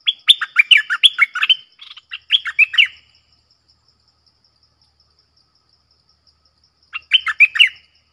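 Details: Red-whiskered bulbul singing a double-phrase song with a clear, pleasing tone: two bursts of rapid rolling chirps close together, then a pause of about four seconds before a third short burst of bright, warbled notes.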